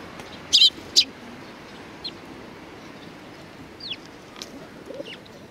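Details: On 25 April 2019 at a Tenmangu shrine, sparrows come for food; two loud, harsh high chirps half a second apart open the scene, then only faint thin tweets follow over quiet background noise.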